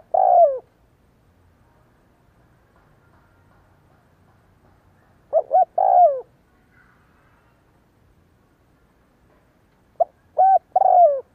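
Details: Spotted dove, a caged decoy bird cooing all day for decoy training: three loud coo phrases spaced about five seconds apart, each two short rising notes then a longer falling coo, with quiet pauses between.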